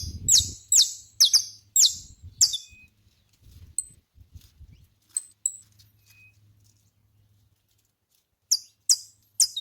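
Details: Saffron finch in a natural setting: a run of sharp, bright chips sliding down from very high pitch, repeated about every half second, then a pause with a few thin high notes and a low hum, and more chips at the end.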